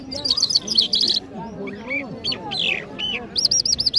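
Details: Mashhadi jal bird from Iran singing in Kabul: high rapid trills at the start, then sharp whistled and slurred notes, ending in a fast repeated chirping run. Background chatter of people talking continues.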